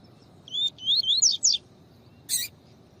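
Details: Double-collared seedeater in tui tui song, used with a female call to excite males in training: a series of rising whistled slurs, speeding up into steep downward sweeps, followed by a short harsh buzz.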